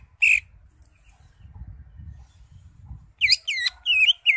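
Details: Greater green leafbird (cucak hijau) singing freely with its crest up, its song full of fill-in phrases, suited for tutoring birds. A single loud note, a quiet stretch with low rumble, then a quick string of twisting, rising and falling whistles.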